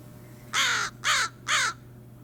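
An American Crow gives three harsh, hoarse caws in quick succession, each about a third of a second long and evenly spaced, with a faint steady hum behind.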